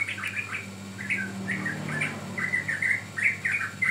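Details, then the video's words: Bulbul calling on a sooty-headed bulbul training track: separate bright chirps, about nearly three a second, some slurred and rising, over a low droning hum. "Pancingan Ampuh Burung Trucukan Paud"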